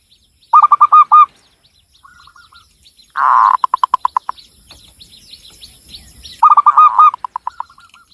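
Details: Local Javanese zebra dove in Cilacap, Central Java, singing a rapid run of hooked coos, soft clipped notes, a rolling burst into spaced pulses, then another quick hooked run, against faint background chirping.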